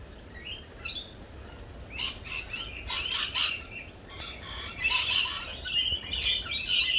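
Lorikeets give a busy chorus of shrill, harsh screeches and chattering squawks, overlapping bursts from several birds, opening with a few thin chirps.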